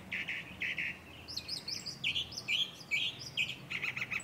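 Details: Mockingbird (calandria) singing from the top of a chinaberry tree in Buenos Aires, Argentina, in August 2014; varied song of harsh buzzy notes, then bright whistled and warbled phrases, ending in rapid repeated chips.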